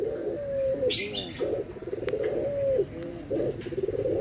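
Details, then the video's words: Barbary doves, white and brown birds compared, giving anggungan cooing: steady mid-pitched coos alternating with throaty rolling trills, repeated about every second, with brief faint chirps of other birds in the background. "PERBEDAAN SUARA ANGGUNGAN BURUNG PUTER PUTIH DENGAN PUTER COKLAT"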